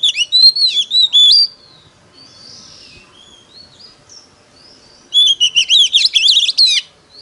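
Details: Oriental magpie-robin in competitive singing, two bursts of loud whistled, rapidly varied phrases separated by a quiet gap of about four seconds with faint softer notes.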